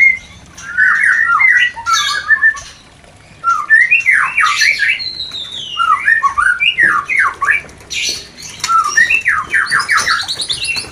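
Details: A white-rumped shama sings its breeding song, used to prompt a new, not-yet-producing pair to mate: clusters of quick upslurred whistles and chattering squawky notes, separated by brief silences, with faint high tones behind.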